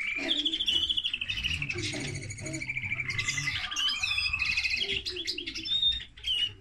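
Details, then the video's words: Linnet x canary hybrid song: a fast, continuous warble of bright trills, twitters and slurred whistles with a faint low hum behind. "Mixto de pardillo y canaria - هجين طائر التفاحي مع الكنار"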